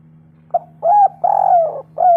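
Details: Spotted dove cooing, played to prompt other doves to call: a brief soft note, then three full, mellow coos with slightly falling ends, the middle one longest, against a constant low electrical hum.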